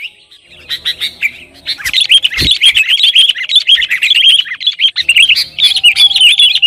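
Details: Sooty-headed bulbul singing energetically, used to stir rivals and coax caged bulbuls into song; after a soft start, crowded bursts of bright chirps and quick rippling notes pour out almost without pause, with a brief dull thud midway.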